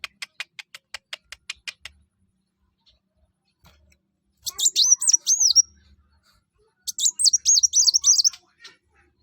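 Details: Olive-backed sunbird, called kolibri wulung or mucang locally, singing to prompt other birds to sing: a run of sharp regular ticks, a pause, then two bursts of high rapid whistled notes that swoop up and down.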